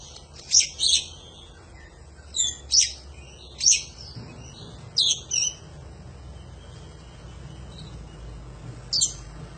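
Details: Oriental magpie-robin (kacer) singing a 'gacor' panjingan song for use in bird training: loud, sharp, squeaky phrases in pairs, separated by gaps of one to two seconds, then a long pause before a final note.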